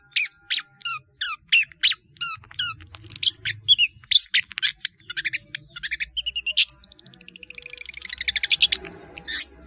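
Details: Caged long-tailed shrike in full song with many filler phrases, used for training caged birds: rapid series of sharp, high chirps and downslurred notes, then a dense buzzy rattle and a final sharp note.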